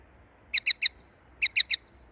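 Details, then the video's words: A common linnet gives two quick bursts of three bright, twittering chirps about a second apart, high-pitched and clean against a quiet background. "Song of linnet_peryasi suara burung linnet"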